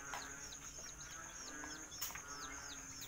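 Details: Serama, rosecomb and Siamese chicks kept in a cage at night: a rapid series of short, high, downward-sliding peeps, about three per second, over a steady thin high-pitched tone and soft background hiss.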